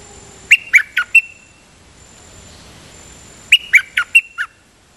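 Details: Dok Taeng bird singing in a double-note (lak boen) style: a phrase of four sharp, falling chirps, then about two seconds of soft hiss, then a matching phrase of five chirps.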